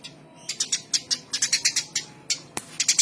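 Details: Eurasian tree sparrow chirping: a steady run of short, high, harsh chirps, about five each second, with a brief pause and a sharp click in the middle.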